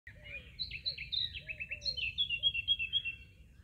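A Eurasian blackcap sings a rapid run of varied whistles and fluty notes that copy a nightingale, about four notes a second, over a faint low background hum.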